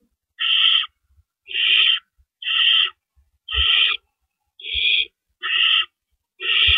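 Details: Owls at the nest before dawn on April 4, 2012, during prey exchanges of rabbits; loud, grating screech-hisses recur about once per second, each burst short and broad, with occasional soft knocks.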